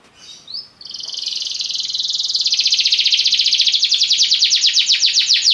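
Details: Soft opening notes and a rising whistle from a Belgian canary lead into a buzzy trill that becomes steadily louder and more distinctly pulsed.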